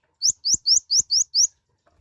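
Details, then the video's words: Six loud, rising whistled upslurs from a mouse-colored sunbird (kolibri ninja), evenly spaced about a quarter second apart, with faint low taps underneath. "Kicauan suara burung Kolibri Ninja(konin) gacor"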